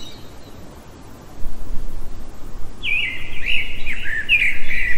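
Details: Common blackbird singing in the middle of the night; after a quiet start, a loud clear fluty phrase with several warbled notes and a brief high squeak.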